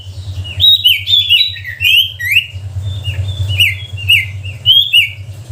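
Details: Sooty-headed bulbul singing a lure song meant to make reluctant bulbuls start singing; lively, slurred whistled notes tumbling up and down in rapid, chattering phrases, with a low hum underneath.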